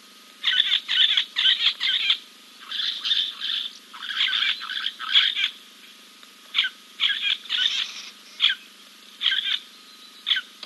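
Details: Giant kingfisher preening after a dip, King's Camp, 2 April 2024, on a live camera. Harsh rasping calls come in quick pairs and triplets, then become more widely spaced single notes, over a faint steady whine.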